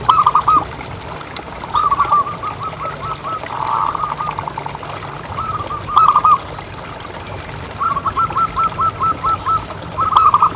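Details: Kept zebra dove of a local strain, its voice played to prompt other doves into calling: repeated rolling coo phrases, some stretched into long fast trills of even beats, with short gaps between, over constant low hiss.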